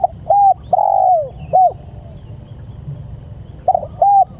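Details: Calling to its companions, a spotted dove gives a short coo, an arched note and a long falling coo, another arched note, a pause, then a stuttered double coo and a level coo, with steady low hum behind.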